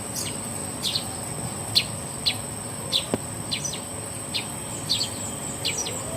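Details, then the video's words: Bird calling to find a mate: short, sharp high chirps dropping slightly in pitch, repeated about every half second, over a steady high insect-like whine and soft background hiss. "Bunyi Burung Mencari Teman"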